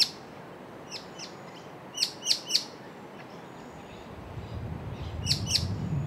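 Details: Wild White-cheeked honeyeater calling to its unseen mate nearby in bushland as it flutters between perches: quick bursts of sharp, high chipping notes, a close run of three, then a later pair, with fainter answering chips and a low rumble.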